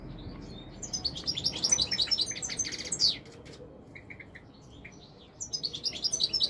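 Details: Rapid, jingling song of a European goldfinch: a dense run of high twittering notes ending in a downslurred note, a short gap with a few soft calls, then the chatter resumes.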